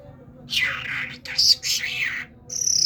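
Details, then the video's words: A talking common myna, called a Kermani talking bird, gives about two seconds of harsh, grating chatter notes, then shifts into a high, thin sustained whistle. "طرقه سخنگو کرمانی"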